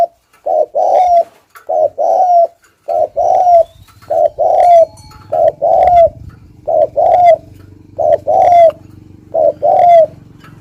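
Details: Lure spotted dove giving thúc gù cooing: deep hollow coos in short-then-long pairs with a slurred ending, repeated regularly, over a faint low hum in the background.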